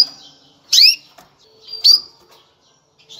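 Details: Mating call of a female canary preparing males for breeding: two strong upward-sweeping chirps about a second apart, with faint soft chips and quiet pauses between.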